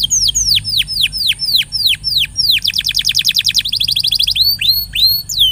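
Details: Canary song meant to stimulate a quiet canary: repeated high swooping notes that drop sharply, then a very rapid chattering trill and further looping whistles, loud and continuous.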